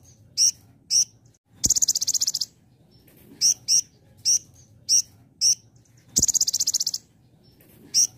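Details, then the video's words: Sunbird song in the 'belalang emas' (golden grasshopper) shot style: very high, buzzy pulsed trills under a second long, alternating with short, sharp high notes given singly or in pairs, with quiet gaps between them. "Masteran Kolibri Ninja Full Tembakan Belalang Emas"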